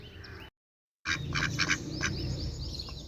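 Ducks quacking in short nasal bursts, several in quick succession, with a brief silent gap early on and steady background rumble.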